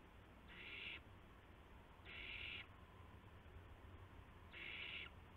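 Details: Owls at night, shortly after midnight on 19 March 2016, as adults deliver a gopher and mice to owlets; three harsh, breathy hissing screeches, each about half a second long, with steady low hum beneath.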